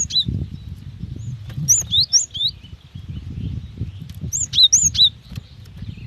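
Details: Female cinereous tit calling to a male, very fast calls meant to prompt other tits to sing: two short bursts of high, thin, upward-flicking chirps, three or four notes each, over a low rumble of background noise.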